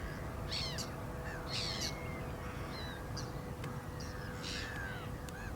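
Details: Black-winged stilt giving a few harsh, nasal calls and thin downslurred notes early on, then scattered sharp clicks and quieter yelps, over persistent low noise.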